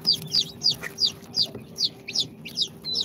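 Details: Newly hatched chicks, day two after incubation, of Sultan, Golden Sebright, Cochin and booted breeds, one voice dominant: clear high descending peeps repeated evenly, about three each second, over a faint hum.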